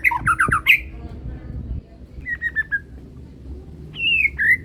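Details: Young banded Medan white-rumped shama in juvenile plumage: a quick burst of sharp whistled chatter, a short series of even whistled notes, then two clear falling whistles, over low rumbling background noise and a sharp knock.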